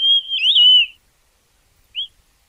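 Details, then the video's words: A Gray Monjita gives a long, high, wavering whistle, then after a pause a single short rising whistled note, with no other sounds. "Monjita gris"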